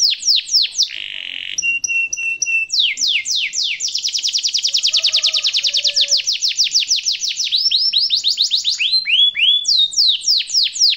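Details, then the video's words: Canary long rolling song used as a master for young canaries: sharp downslurred notes, a buzzy trill with short whistles, then an extended rapid roll and final sweeps. "kenari gacor ngerol panjang cengkok mewah suara kesukaan dan gampang di tiru sama kenari muda"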